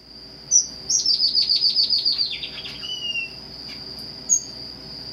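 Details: Red avadavat, or strawberry finch, singing: a sharp chip, then a fast series of about ten high descending notes ending in a lower drawn-out whistle, over a constant high electronic whine.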